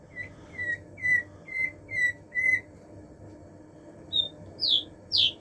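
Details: Common nightingale song: a row of five clear whistled notes at a steady mid pitch, about two per second, then a pause and three sharp notes rising higher and higher, over a low steady hum.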